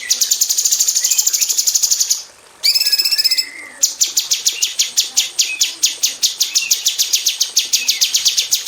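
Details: Female cucak cungkok bulbul in an aviary, singing in the rapid-fire 'tembakan rapat' style used to tutor magpie robins: dense trains of sharp, high repeated notes, briefly broken by a nasal harmonic phrase, then resuming.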